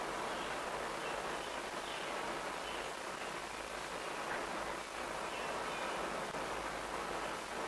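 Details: Even hiss like rain on surfaces fills the recording, with steady broadband noise and no animal sound.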